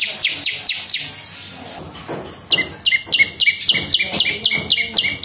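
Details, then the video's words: Bar-winged prinia singing 'gacor' for luring and tutoring other songbirds: quick high chips that shift into a faster run of two-part 'ceng' notes, a piercing downslur with a lower tick, repeated nearly four times a second. "SUARA BURUNG PRENJAK LUMUT GACOR !! PANCINGAN BUNYI / MASTERAN DAN SUARA PIKAT PRENJAK CENG VOLUME +"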